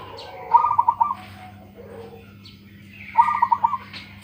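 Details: Big-voiced local perkutut, or zebra dove, sings two short phrases of fast, evenly spaced rolling coos, each lasting about half a second, separated by softer chirps and a low hum.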